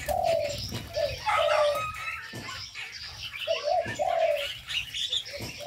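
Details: Aviary full of birds: brief low coos in pairs, interrupted by quiet spells, with twittering and a thin whistled note above, and bursts of fluttering wings.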